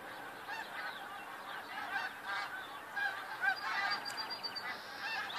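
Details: From a huge snow goose flock on February 28, 2013, a churning mass of honks with louder individual barking calls bursting out repeatedly, the overall volume pulsing up and down.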